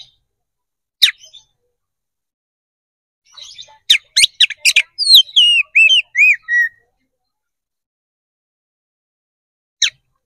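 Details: Oriental magpie-robin (kacer) in vigorous fighting-style song, used as bait to rouse other magpie-robins into responding: a short burst, then rapid sharp notes and a run of slurred whistled phrases, ending with a lone note after silence.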